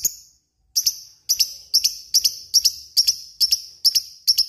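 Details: Lovebird, a fighter bird, uttering sharp high double chirps in a steady series, roughly two per second, after a short pause at the start.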